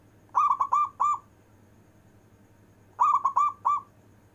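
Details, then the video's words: Local zebra dove singing with long breath, used to prompt lazy zebra doves to sing: two bursts of four quick, mellow, rolling cooing notes about three seconds apart, over a faint low hum. "Perkutut lokal istimewa manggung nafas panjang,cocok untuk manggil perkutut malas"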